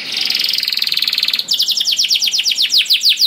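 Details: Canary song used to prompt other canaries to sing: a dense rapid trill for about a second and a half, then a steady run of quick descending chirps repeated several times a second.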